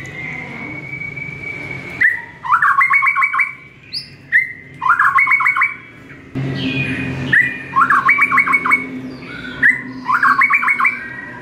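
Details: White-rumped shama in a morning training recording for caged birds: long steady whistles followed by rapid rattling trill bursts, repeated in phrases about every two to three seconds, with a faint low background hum.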